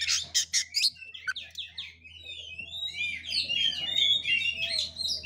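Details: Oriental magpie-robin (kacer) in 'ngeplay tarung' fighting-style song: harsh, noisy bursts at first, then a tangle of overlapping high whistles and slurs over a low steady hum.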